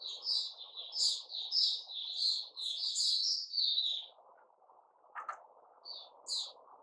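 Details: White-crowned shama (Puteh Raja), a caged bird in its new-feather season, 6 September 2021: four seconds of fast continuous whistled warbling, then a pause with a click and two brief notes over low hum.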